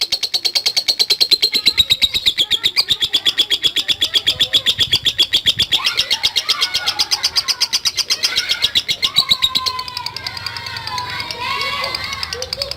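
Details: Long ngekek chatter of a lovebird, used to provoke other lovebirds: a long, even series of fast, high, buzzy pulses that weakens later, as other birds' lower whistles and chirps come in.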